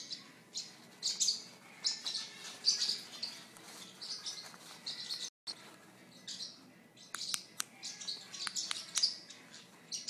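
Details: A female sun conure clicks her beak while tearing up a napkin: sharp, dry beak clicks mixed with soft high chirps and rustling.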